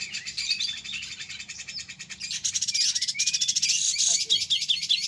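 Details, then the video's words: Grey-cheeked bulbul delivering dense, rapid chattering phrases, rising in volume midway, with sharp whistled slurs near the end. "cucakjenggot suara bikin candu"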